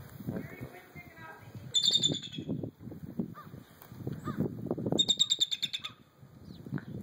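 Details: An eagle at a Minnesota zoo that cares for hurt or ill native animals gives a distress call: two bursts of shrill, rapid, high pulsed chittering, each about a second long, while people talk steadily in the background.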